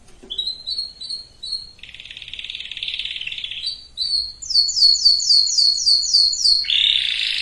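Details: Canary singing to ready male and female birds for breeding. Short whistled notes repeat about twice a second, then a buzzy roll, then a high rapid trill of slurred notes, and a final harsh burst.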